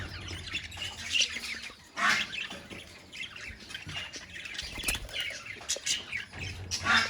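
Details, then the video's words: Budgerigars in a colony mixing harsh squawks with steady high chatter, loud bursts near two, five and seven seconds standing out above the busy twittering. "Budgies Sounds in Colony | Parakeets Sounds in Colony"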